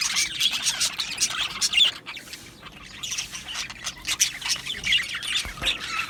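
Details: Budgerigar colony in an aviary, recorded 12 July 2025: dense overlapping chatter of many birds, with scratchy squawks, quick chirps and warbles rising and falling in bursts, briefly quieter midway.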